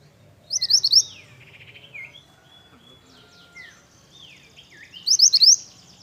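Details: Pied bush chat singing a brisk phrase of four rising whistles twice, about four seconds apart, while various other birds whistle and slide softly in the background.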